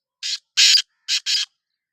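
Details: Black francolin, called kala teetar, giving its call: a rasping, noisy phrase of four grating bursts. The bursts come as a pair, a brief pause, then another pair, clean and free of other sounds.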